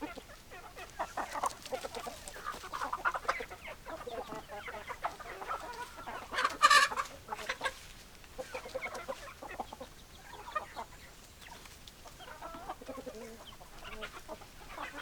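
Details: Chickens clucking in a group, a continuous murmur of soft clucks with a sudden loud squawk partway through, then steady quieter chatter.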